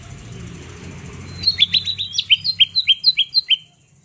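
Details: Green leafbird (cucak ijo) ready for competition, sounding a tembakan burst to stir silent leafbirds: after a hushed start, some fourteen crisp chirped notes tumble out in two seconds, then the clip falls quiet.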